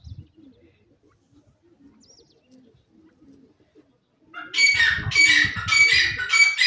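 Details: A wild francolin, called jungli teetar, starts a loud, harsh, ringing call series after a quiet stretch. Rapid grating notes repeat over and over, with faint low rumbling and scattered background sounds before the outburst.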